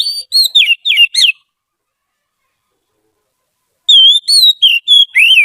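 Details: Song of a trained Oriental magpie-robin used as a singing tutor: a rapid burst of short, sharply inflected whistles, a silence of over two seconds, then a longer series of level and falling whistled notes.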